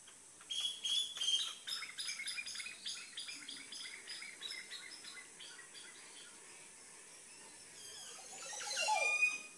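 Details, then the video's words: Montezuma oropendola at day's end on Lake Cocibolca, Solentiname, Nicaragua: several seconds of dry, rapid chattering and clicking, then a loud liquid gurgle that swoops sharply downward near the end. "Montezuma Oropendola Call"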